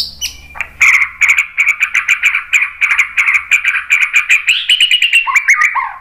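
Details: White-rumped shama song used to lure other birds into answering: a fast rattling series of sharp, evenly spaced notes, about four per second, ending in higher whistled phrases.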